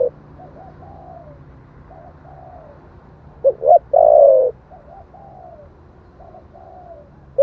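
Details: Spotted dove cooing in the 'giọng thổ' voice, meant to provoke wild doves into a fast response; soft two-part coos repeat steadily, broken midway by a brief cluster of louder, throaty coo notes.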